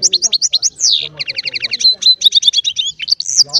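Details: A small Baster hybrid delivers chardonneret-style song, with quick high chirps, a descending slurred note, then a steady run of evenly repeated twittering notes and a thin whistled tone, ending in a buzzy flourish.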